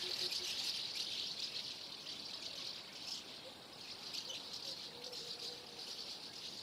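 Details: Massed common house martins flocking before flight, a loud, dense, rapid twittering chorus that eases slightly midway, with a faint low tone in the background.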